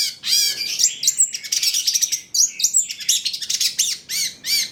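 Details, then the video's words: Long-tailed shrike song, a fast torrent of harsh chattering notes mixed with high whistled and squeaky phrases in short bursts, used as a lure to get other shrikes singing. "PANCINGAN CENDET TROTOL AGAR BUNYI, MASTERAN CENDET GACOR FULL ISIAN"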